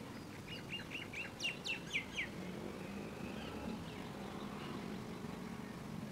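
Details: Red-vented bulbul (Pycnonotus cafer) singing a quick run of about eight bright, chirpy notes over two seconds, then falling quiet, over a low background rumble.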